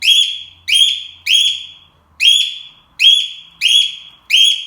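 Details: Pet cockatiel indoors acting as a home alarm: loud shrill rising whistled calls, each a single harsh upslurred note, repeated about every 0.7 seconds in a steady insistent series.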